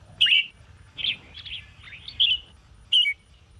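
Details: Caged Sông Kôn red-whiskered bulbul during morning training, giving loud clear whistled notes and softer slurred warbles spaced across the clip, with a faint steady high tone in the background.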